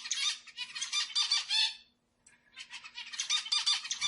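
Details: Zebra finch song meant to stir up other birds: dense, rapid, buzzy twittering strings of short notes, broken by a brief silence before the chatter resumes, over a faint low hum.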